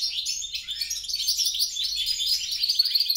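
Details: Hybrid goldfinch, European crossed with grey-crowned, in a brief burst of bright chattering song, quick chirps and a couple of sharp whistled notes near the end.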